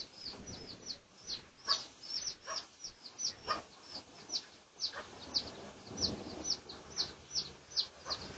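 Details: Red junglefowl, Pradu colour type, recorded for research on 18 August 2023, uttering sharp, high downslurred peeps at an uneven pace, about two per second, over a faint rustling background.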